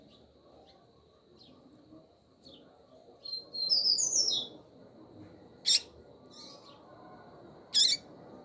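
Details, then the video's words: A female double-collared seedeater (coleiro) in breeding condition calls to stir up a male, giving high, thin chirps and a brief twittering burst, with two sharp louder notes near the end over a low background hum. "FÊMEA DE Coleiro FOGOSA Piando E Chamando"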